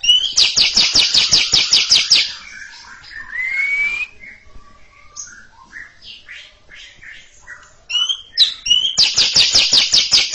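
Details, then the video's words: Greater green leafbird kept as a cage bird, singing a long ngekek chatter in front of a stalled younger bird: rapid buzzy bursts repeated about three per second, broken by a rising whistle and scattered varied notes, then the chatter resumes. "Cucak Ijo ngekek panjang siap ngeroll didepan junior macet"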